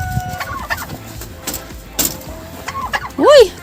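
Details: A newly arrived domestic turkey, penned in a frosty winter yard with frozen water, grumbles or scolds with a few short, arched, gurgling notes, ending in a loud rattling gobble burst; light rustling and knocks behind.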